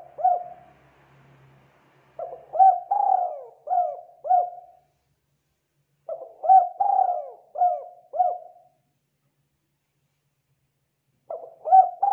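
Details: A spotted dove gives three mellow cooing phrases in the morning, each a quick run of soft hooting notes rising and falling, about every four seconds; used as a lure to get other doves calling. Faint low hum at the start.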